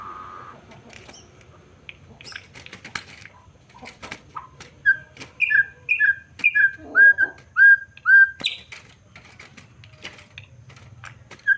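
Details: Campo troupial song: after several seconds of faint clicks and tapping, a run of clear, rich whistled notes, some paired with a higher note, repeated roughly every half second before the clip ends with scattered clicks.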